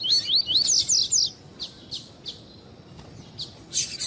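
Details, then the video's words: Double-collared seedeater warming up in tui-tui style, as used by tournament breeders: repeated rising slurred whistles, then spaced sharp high chips and a closing burst of bright notes. "ESQUENTAR COLEIRO TUI TUI"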